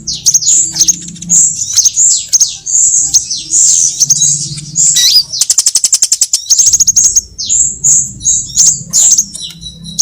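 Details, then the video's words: Sunbird trapping lure assembled from various sunbird kinds: a long run of high squeaky chirps and sliding notes, a burst of very rapid clicking trill midway, then more bright twitters resuming. "Suara pikat semua jenis burung kolibri"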